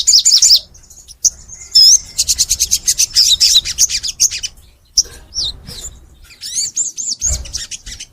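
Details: Crimson sunbird (sogon) in energetic full song for a master recording to make kept sunbirds sing: a rapid high trill, then looping upslurred whistles and sharp chirps.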